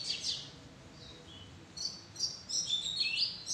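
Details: Oriental magpie-robin in a madan tree arbor, giving bright high whistled notes and sliding sweeps in short bursts, a quiet gap in the middle, then a livelier run of varied whistles toward the end.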